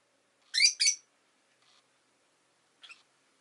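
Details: Rosy-faced lovebird giving two loud, shrill, buzzy chirps close together, then a faint short call and a softer rasping chirp near the end, with silence between.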